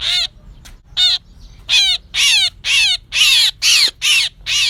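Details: Myna lure call for trapping, from 2024: a fast series of loud, grating calls with downward-sliding harmonics, starting with a few scattered notes and then settling into a steady rhythm about twice a second against a quiet low hum.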